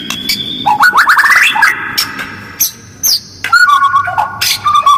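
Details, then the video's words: White-rumped shama provoking call, harsh and quick with close pauses; a climbing series of stepped whistled notes, then a sudden high squeal and a lower wavering whistle, in bursts separated by short silences. "Jeda rapat, suara kasar dan cepat direspon burung lain, pancingan murai batu"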